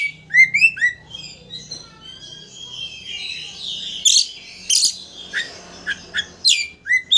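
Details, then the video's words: A vocal Oriental magpie-robin sings a lure song meant to provoke a rival into opening its tail. It opens with quick downslurred whistles, then sustained warbled phrases, broken by harsh rasping bursts and sharp chips near the end. "Pancingan Kacer Gacor Untuk Memancing Emosi Lawan Agar Mau Buka Ekor"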